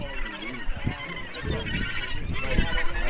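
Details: Australasian gannets at the Cape Kidnappers colony, where a male and female pair groom each other, give harsh, guttural, croaking calls in rapid, uneven bursts, several birds overlapping amid the steady din of the busy colony.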